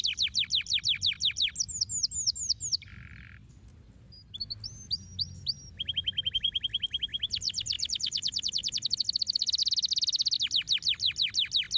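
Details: Canary song meant to encourage canaries to sing, built from fast repeated trills: a high rattling run, a brief buzzy note and short pause, a few rising whistles, then long rapid trills shifting between lower and higher pitches.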